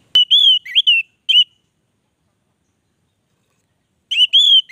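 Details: Orange-headed thrush singing vigorously: loud clear whistled phrases with warbled ornaments, a burst of four phrases in the first second and a half, a long pause, then a renewed rich phrase near the end.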